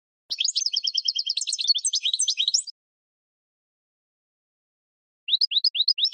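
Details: European goldfinch singing in spring, a recording for training cage birds: a rapid tinkling twitter of high liquid notes for about two seconds with buzzy trills, a pause, then a new phrase of rising chirps; no other sounds.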